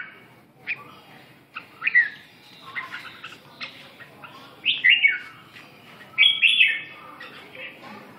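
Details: After waking, a red-whiskered bulbul sings a string of chirps and sweeping whistled notes. It builds to two louder warbling phrases in the second half.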